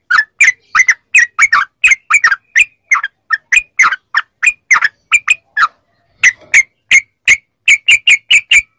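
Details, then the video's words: Yellow-vented bulbul song played to draw responses from captive bulbuls: crisp, liquid note pairs repeated briskly, with one short break before a final quick series of chirps. "MASTERAN TRUCUK CEPAT ROPEL||SEMUA TRUCUK LANGSUNG NYAUT||TERAPI TRUCUKAN"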